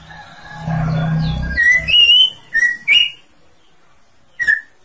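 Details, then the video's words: Greater green leafbird giving bright, rising whistled phrases after a steady low humming noise fades out, with one last whistle after a pause. "Cucak ijo paling gacor"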